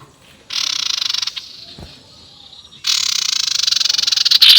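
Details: Sirtu, the Indonesian local name, giving a ngekek call used as a lure to provoke rival birds: a dense rapid chattering trill, high and rattling, in two bursts of about one and two seconds separated by a quiet gap.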